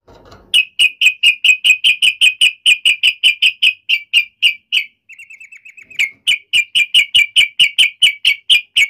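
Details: Yellow-vented bulbul giving an agitated fighting call, used to provoke other birds into answering: a fast series of sharp, clipped chirps repeated about twice a second, a brief break of softer, quicker notes midway, then the steady chirping resumes.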